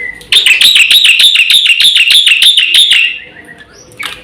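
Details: Black-winged myna kept for training birds gives a rapid series of about fifteen evenly spaced harsh, ringing notes, fading into a trailing whistle and a short final squeak.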